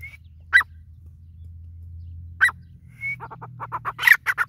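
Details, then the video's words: Grey francolin: two isolated harsh notes with brief whistles, then a rapid accelerating run of loud, grating repeated notes building toward the end, with a low hum behind. "Teetar awaz | Teetar ki awaz | Teetar Calling | Teetar voice | Grey francolin teetar Sound"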